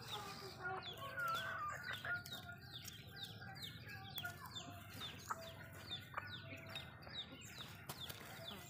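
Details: Malay chickens feeding in a home backyard give many overlapping thin descending peeps, about two a second, with scattered clicks of pecking and occasional soft clucks.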